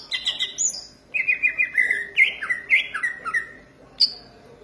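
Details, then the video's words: Caged green leafbird from Indonesia in energetic song, delivering varied whistled phrases, slurred notes stepping up and down with sharp high accents, several phrases strung together with brief pauses. "cucak ijo gacor manteb banget"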